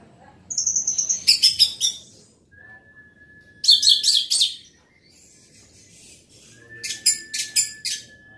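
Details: An orange-headed thrush in full, loud song delivers three fast, buzzy, stuttering bursts of high notes, each lasting about a second, separated by pauses with a faint steady tone between.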